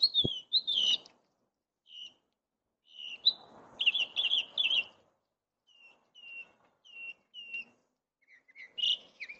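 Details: Gila woodpecker at a feeder giving sharp, high, slightly burry notes in short bursts and spaced single yips, with soft tapping and rustling between calls.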